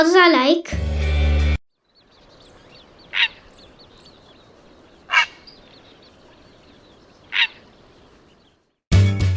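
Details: Purple heron (Ardea purpurea), call.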